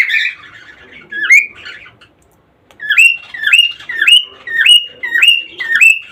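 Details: Mating-encouragement calls from a cockatiel: an opening burst of harsh chatter and a single upslurred whistle, then after a brief silence six evenly spaced rising whistles at roughly two per second.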